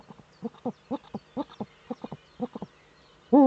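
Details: Male Eurasian eagle-owl in courtship display at the nest niche, picked up by a nest webcam in northern Rhineland-Palatinate, Germany, 4 May 2013. Steady series of paired, clipped soft notes, ending as a loud wavering cry begins.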